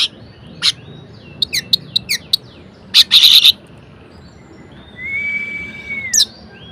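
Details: Orange-headed thrush singing variations to stimulate lazy birds: a few sharp upward-flicked chips, a dense harsh buzzy burst, then a long level whistle that rises slightly before ending.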